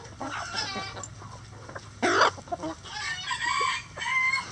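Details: Crowing rooster in a busy chicken coop: a sudden loud burst at the two-second mark, then sustained, wavering harmonic calls to the end, mixed with short clucks and a constant low hum.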